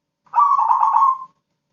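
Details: A crossbred zebra dove noted for singing day and night delivers one burst of fast, bubbling coo notes that blur into a steady roll for about a second before fading, with no other sounds.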